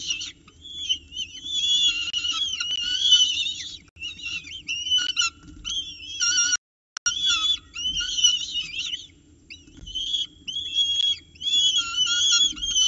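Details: Peregrine falcon chicks in a nest box in Orange on 29 October 2018 at morning feeding, adults bringing prey and feeding after chicks fight; continuous high, wheezy, chattering cries in bursts with a short silent gap midway.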